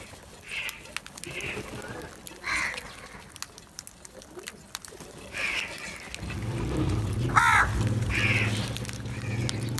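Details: Crows calling in the morning while special food is put out to attract them; harsh cawing bursts come every second or two, some louder and some distant, over outdoor background noise with a low rumble in the last few seconds.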